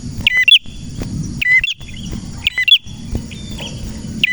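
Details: Male red prinia, kept as a master bird for training other prinias, gives short sharp two-part chips in quick bursts about every second, over a steady high thin whine and a low rumble.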